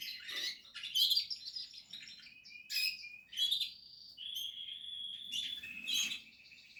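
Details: Nesting Portuguese harlequin canary producing bursts of sharp chirps and short warbled phrases roughly every second, mixed with brief sustained high notes.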